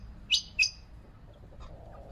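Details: Quail giving two quick sharp notes close together, each a high piercing chirp with a lower tail, followed by near silence and faint background noise.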